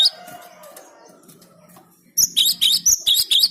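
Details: Cinereous tit song used to lure birds: after two seconds of faint low murmur, a burst of sharp, high, repeated chirping notes, each note dropping in pitch, about seven in quick succession.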